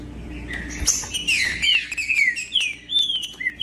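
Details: Trinca-ferro, the green-winged saltator, singing to warm up silent birds: rich whistled phrases that swoop downward and waver, delivered in a fast, overlapping stream.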